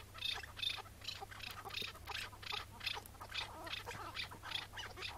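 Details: Chukar partridge, wild bird arriving in the morning in May 2017 during breeding season, caught and later released: harsh, rhythmic bursts repeated about two or three times a second, fairly irregular, over a faint background hum.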